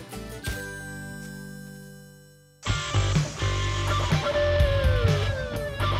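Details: Rock-style guitar music with a held chord that fades, then strummed and sliding guitar notes, and no animal sound.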